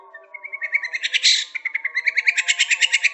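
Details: Energetic white-rumped shama song: a rising whistled note leads into fast, regularly repeated sharp chip notes, about three per second, with a harsh buzzy burst in the middle, over low steady tones.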